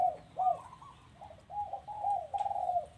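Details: Dove at a house giving a continuous series of purring, rolling low coos, notes slurring up and down for three seconds.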